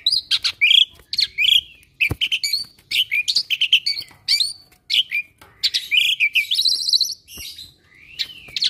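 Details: A talkative Asian pied starling, an able mimic of other birds, chattering in fast clipped chirps and short whistled swoops, with a few sharp clicks and a buzzy high trill near the end.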